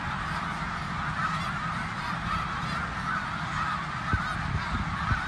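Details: Snow geese by the thousands on migration through eastern Pennsylvania near Bath, January 2021; a continuous clamour of honks from countless birds, with a couple of sharp clicks near the end and low rumbling underneath.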